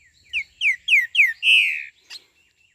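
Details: Green-winged saltator (trinca-ferro) singing its 'treme terra' song style, recorded 29 May 2025: four loud, descending slurred whistles at a steady pace, then a longer sustained whistled note and a short final chip. The background is quiet.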